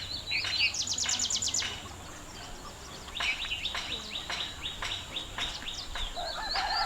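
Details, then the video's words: A small bird on a treetop chirps: a rapid run of steep downward-sliding notes, then evenly spaced single sharp chirps about every half second, over faint outdoor noise. "Have you ever seen small Chirp on top of tree?"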